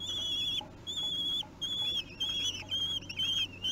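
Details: Three-week-old common kestrel chicks begging while being fed, Théding, France, June 2021: thin, high, slightly wavering whistled squeals, each held about half a second, repeated with short gaps, overlapping one another.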